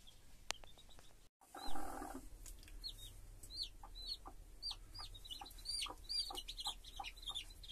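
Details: Hen with her chicks: a steady stream of high, short peeps from the chicks, each dropping in pitch, heard one after another. A brief low rustling burst early on, and a few soft clicks and knocks.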